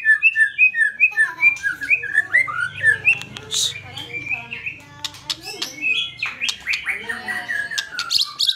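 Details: Vigorous white-rumped shama, fighter-style song: rapid rising whistled notes in a quick series, breaking into dense, harsh, scratchy phrases and clicking notes.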